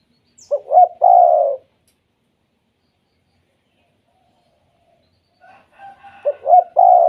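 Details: Spotted dove giving its 'kuk 2' call, meant to set other spotted doves calling: two cooing phrases, each of short stuttering notes that run into a longer, slightly falling mellow coo, separated by several seconds of silence.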